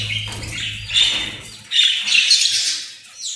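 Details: Australian parrot giving harsh, scratchy squawks and chattering calls in bursts, with a low hum early on and a gap of quieter sound midway.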